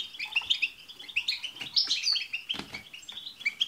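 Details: Chorus of European goldfinches meant to stir a pet goldfinch into song: lively overlapping twitters, quick chirps and a few drawn-out buzzy notes.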